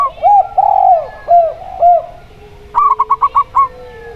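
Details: Local zebra dove paired against a spotted dove. Slow, low, arched coos open the recording. A quick burst of six crisp, staccato cooing notes follows near the end, over a steady low hum.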